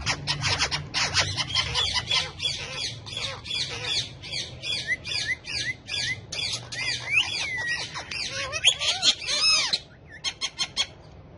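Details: Four pet parrots perched on a bike while dancing and talking. A busy, overlapping stream of rapid chirps, squeaks and looping whistled squawks, ending in a few short clicks after a brief pause.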